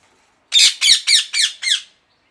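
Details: Parrot squawking five times in a quick, even series, each note loud, harsh and rasping, starting strong and growing slightly softer toward the end; the surroundings are otherwise quiet.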